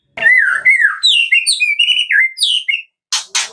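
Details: Captive white-rumped shama of the Medan type singing in the morning, its song rich in imitations; played to prompt other shamas to sing. Clear, looping whistled phrases sliding up and down, then two harsh bursts.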